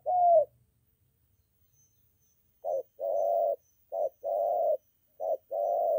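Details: Spotted dove, molting decoy bird on a training outing near home with a wild male nearby; one coo, a pause of about two seconds, then three short-long coo pairs in quick succession.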